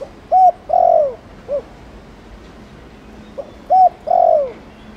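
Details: Two spotted dove coo phrases, Thổ Đồng style, used to prompt other male doves to coo: each a level hoot, a longer down-slurred coo and a short soft end note, about three and a half seconds apart.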